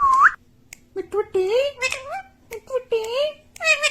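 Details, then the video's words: Talking parrot opens with one sharp rising whistle, then strings together several drawn-out, voice-like syllables that rise and fall, like copied words of "mummy" and "mitthu". "Talking parrot || mummy mitthu || mithu mitthu || bolne wala tota"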